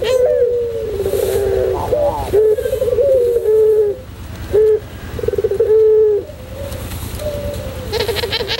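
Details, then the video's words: White Barbary dove of the pelung type singing, recorded as a tutor song: a trilled, bubbling coo followed by long, smooth, slightly falling notes, repeated several times with short pauses between phrases. "masteran puter pelung putih manggung"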